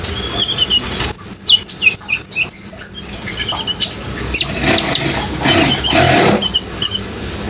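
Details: Actively singing van Hasselt's sunbird giving quick high twittering notes and short sweeping whistles in clustered bursts, over continuous splashing water.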